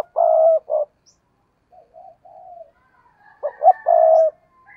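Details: Decoy spotted dove cooing loudly: a long low hollow coo ending one phrase, quiet distant coos from another dove, then a full new phrase of two short notes and a sustained coo.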